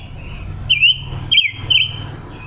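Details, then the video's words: Decoy female Red-billed leiothrix, caught wild, recorded October 2021 as a lure and song trainer: three loud wavering whistles about half a second apart over a steady low hum. "Ngũ sắc mồi già rừng hót hay, ngũ sắc mồi luyện giọng hót của chim già rừng ngũ sắc mái mồi"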